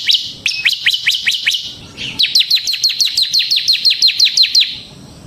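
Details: Continuous 'ngebren' singing from a lively bar-winged prinia (ciblek semi gacor), played to draw out and tutor other prinias. Thin, high chips drop steeply and come in rapid even strings, one short run and then a longer one of about fifteen notes.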